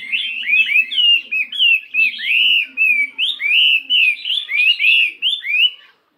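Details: Fighting-type Chinese hwamei weighing 72 grams sings a voice-switching song during morning practice. Clear, loud whistled notes, many with an upward hooked shape, repeat in quick succession for about six seconds, then stop.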